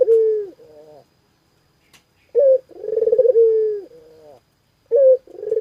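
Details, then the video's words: Spotted dove calling, a gacor (lively, persistent) bird kept for home ambience; soft low hoots around a steady pitch, a short clipped note then a throaty rolling coo ending in a long drawn-out tone, repeated twice in quick succession. "Suara Burung Puter Gacorrr"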